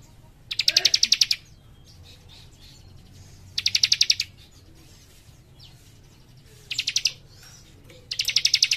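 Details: Young cikrak singing vigorously in tight, dense bursts: four rapid high trills, each under a second and made of about ten sharp repeated notes, separated by pauses of roughly two seconds, with faint thin whistles between.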